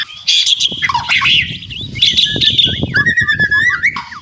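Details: White-rumped shama, rattling song with birds answering each other; dense harsh rasping chatter with low thumping knocks underneath, then a run of rapid repeated whistled notes.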